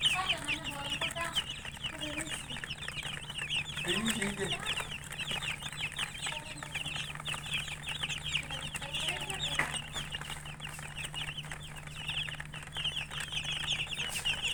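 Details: Long stretch of many chicken chicks chirping, high peeps pouring out continuously, with a brief low cluck early on and a steady low hum throughout.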